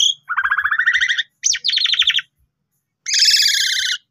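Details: Asian pied starling juveniles singing to teach other starlings: long rattling buzzy trills, a brief sharp note, another rattling trill, silence, then a steady grating rasp.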